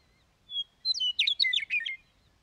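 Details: A Western Meadowlark answers other meadowlarks with a loud song: one pure whistle followed by a tumbling series of gurgling, flutelike notes that drop in pitch, ending with a faint distant whistle, background otherwise still.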